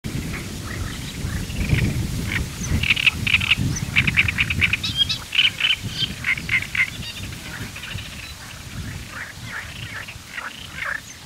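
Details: Great reed warbler of the nominate subspecies arundinaceus singing in the Camargue, France, in May: rapid harsh, grating chattering notes in uneven bursts, over steady low rumbling background noise.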